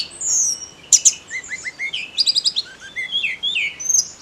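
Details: Snowy-browed flycatcher singing continuously, used to stir up the emotions of SRDC and oriental magpie-robin songbirds; high, varied song of thin whistled notes, short downslurred slides and quick chirp clusters, with brief pauses between phrases.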